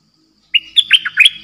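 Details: A caged decoy bulbul used in trapping sings one bubbly phrase of five or six quick, bright whistled notes over a faint steady background tone.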